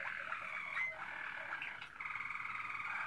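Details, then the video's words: Malinois Waterslager canary, recorded in 2016, sings soft bubbling, water-like rolls and a sustained warbling trill, fairly quiet against faint background hiss. "Malinois Waterslager"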